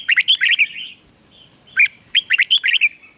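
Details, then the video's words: Red-whiskered bulbul, a caged bird being trained, delivering rapid bright warbled whistles in two quick phrases split by a short pause. "Luyện chào mào hót căng lửa"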